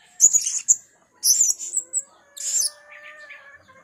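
Blue-crowned hanging parrot giving three bursts of shrill, sizzling high notes about once a second, with a faint steady whistled tone underneath.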